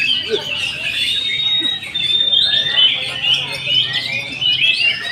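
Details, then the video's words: Oriental magpie-robin on the hanging pole at a songbird contest, pouring out a continuous, rich warbling song of high whistles and slurred notes, with a crowd murmuring below. "BURUNG KACER DI GANTANGAN"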